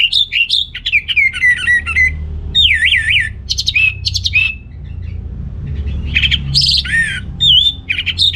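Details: Orange-headed thrush delivering a rich, varied song to stimulate males lacking breeding drive: rolling trilled whistles, wavy warbled notes and sharp high phrases pouring out almost continuously, with faint low hum behind.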